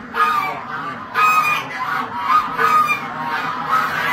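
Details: White Chinese geese give loud nasal honks, about one burst per second, with uneven timing as several birds call over each other.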